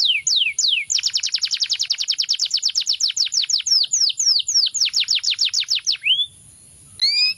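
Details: Canary song built from quick, repeated descending chirps. It begins with a few separate sweeps, breaks into a long, rapid, even trill, then ends with a brief pause and two drawn-out slurred notes.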